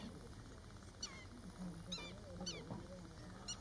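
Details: A black-winged stilt (Himantopus himantopus) defending its nest and eggs from an openbill stork gives alarm calls: four sharp, yelping notes, each dropping in pitch, about a second apart over a steady low rumble.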